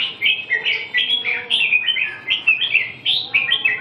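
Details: Red-whiskered bulbul delivering clear, liquid whistled notes in short bouncing phrases, roughly three or four per second, each note swooping down then up, repeated evenly throughout.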